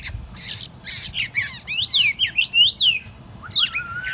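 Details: Tame Chinese hwamei kept in a portable cage placed on a table: harsh scratchy bursts open the phrase, followed by bright downslurred whistles and a final level whistled note.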